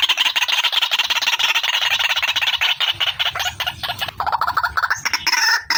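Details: Female white-breasted waterhen calling as a trapping lure: dense, rapid, high harsh chatter, then lower pulsed croaks toward the end.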